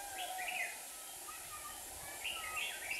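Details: Red-whiskered bulbul decoy singing at a trap in Hòa Bình, Vietnam, one of two decoys set to lure wild rivals; two short bursts of bright whistled, warbling phrases with steady background hiss.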